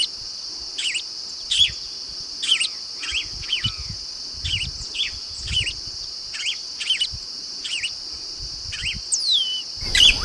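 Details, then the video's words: Yellow-rumped marshbird song in a natural recording without added effects: short, sharp downslurred notes repeated roughly every half second to second, over a loud, steady high insect drone, ending with a rising whistle. "Som limpo do canto🎵 do Chupim do Brejo. Som original da ave, sem interferência de efeitos sonoros."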